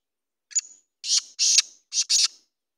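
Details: Harsh rhythmic call of a black francolin: a faint introductory note, then two pairs of loud scratchy syllables, the second of each pair longer, against a silent background.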